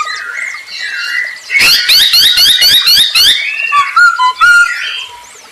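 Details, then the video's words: Masked laughingthrush singing as a lure for other birds: soft, wavering whistles lead into a rapid, buzzy, chattering burst, then a few clear falling whistled notes. "Burung poksay hongkong gacor untuk pancingan"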